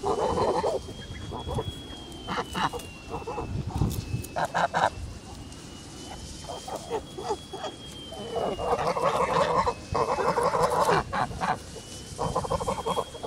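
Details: Kholmogory geese kept on a farm, recorded 10 August 2017: repeated bouts of loud, blaring honks come in clusters across thirteen seconds, loudest in the second half, with a faint high whine throughout.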